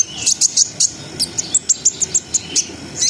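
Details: Brown-throated sunbird in lively 'ngriwik ngerol' singing, used to stimulate breeding arousal: a rapid string of piercing high chirps and ticks, about four per second, some sliding upward, with a faint lower trill at the start.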